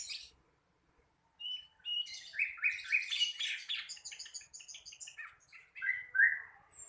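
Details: Practising young flycatcher, locally sikatan londo, delivers a busy warbling sequence of quick chirps and short whistles, rising and falling, ending with a couple of clearer downslurred whistles.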